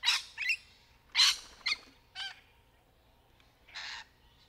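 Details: Rainbow lorikeet in trees, natural sound possibly tied to courtship or mating calls, giving harsh, rasping screeches in six short bursts, spaced irregularly about a second apart, high and grating; little else is heard.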